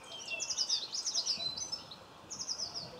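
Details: A common linnet in a garden in Cornwall on November 26, 2015 gives rapid, high twittering in two bursts: a long run of quick chirps, a short pause, then a briefer second burst.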